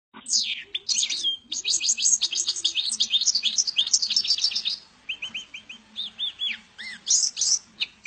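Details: Tame goldfinch singing: a fast, rich run of twittering, tinkling notes with buzzy trills. The song pauses briefly near the middle, then resumes with shorter, spaced chirps and rising whistled notes.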